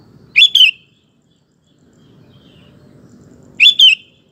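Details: Persistent sooty-headed bulbul song, used as a lure and tutor so male bulbuls reply. Loud paired liquid, warbling phrases repeat about three seconds apart, with soft low background rumble between them.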